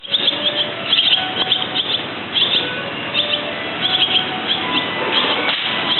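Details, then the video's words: Barn swallow calling, with bursts of short, high chirps and twitters repeated in clusters about every second, over a steady background hiss. "つばめの鳴き声 Hirundo rustica"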